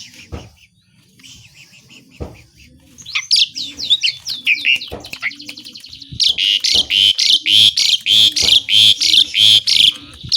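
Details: Asian pied starling with loud mimicked song: scattered clicks and soft chatter build into a series of twisting whistled notes, then a long run of rapid, evenly pulsed buzzy chatter, a low coo beneath.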